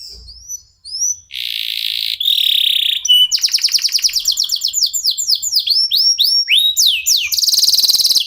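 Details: Local canary song, used as a lure recording to get other canaries singing: varied high notes opening with rising whistled slurs, then buzzy rasping blocks, followed by a fast rhythmic series of repeated chirps and sweeping trills ending in a dense buzzy roll.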